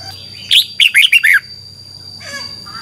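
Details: {'text': "Red-whiskered bulbul from Thailand in the 'phleng boen' double-song style, used to train birds to count phrases: one quick phrase of five chirpy, falling whistled notes, then a faint softer call, with a constant thin high tone behind."}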